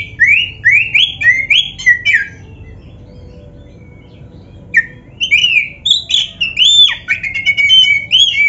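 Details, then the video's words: A caged black-breasted oriental magpie-robin sings a song meant to prompt other birds to sing, in loud rising whistled phrases given rapidly. A silent gap is followed by more varied twisting whistles and sharp notes. "SUARA BURUNG KACER MASTERAN GACOR ‼️Full Variasi isian MEWAH"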